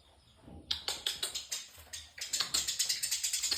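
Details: House sparrows fighting in the morning, calling loudly: a run of harsh, dry chirps, each quickly falling away, repeated about five times per second, with a short break before a denser, louder series.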